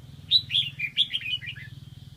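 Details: Red-whiskered bulbul decoy bird from Lạng Sơn, singing to lure wild birds, gives a quick run of bright, bubbly whistled notes, rising then dipping, over a low steady hum.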